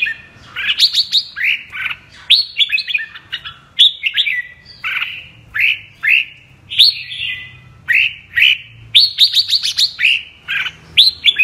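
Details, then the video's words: Long run of double-voice (giọng kép) song by a red-whiskered bulbul of the 'mơ' type: repeated bright, warbling whistle phrases, each a quick cascade of notes, delivered almost continuously with short pauses. "Con Chào Mào MƠ cực đẹp, HÓT giọng KÉP Cực đã"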